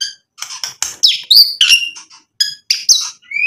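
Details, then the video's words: Song of a white-rumped shama used to goad other birds into replying, a rapid jumble of high chirps, harsh chattering notes and bright squeaky whistles packed closely together. "MURAI BATU GACOR bikin EMOSI Langsung NYAUT BUNYI BONGKAR MATERI ISIAN ampuh buat PANCINGAN"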